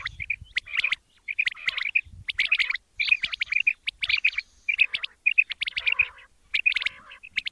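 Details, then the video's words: Quail calls for morning hunting: busy bursts of sharp, high chirps mixed with short, round whistled notes, arriving in bunches with small gaps between. "Amazing batair ka kartab daiken | latest chukion wali awaz subha k liye"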